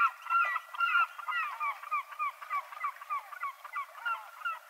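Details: Short, hoarse, downward-bending gull cries repeated in an uneven run. They are loud at first, then weaker and more spaced.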